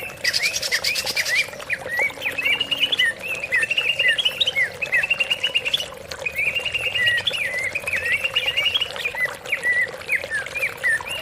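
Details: Greater green leafbird singing as a lure for leafbirds that have stopped singing: a hissing burst at the start, then long, lively warbled phrases of quick up-and-down notes, some sharper squeaky accents, over a steady hum.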